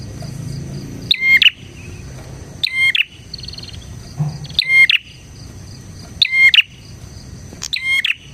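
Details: Bar-winged prinia song, used as a lure for other prinias: short buzzy-ringing phrases with a clear whistled note, about five repeats in eight seconds at irregular spacing over faint low background hum.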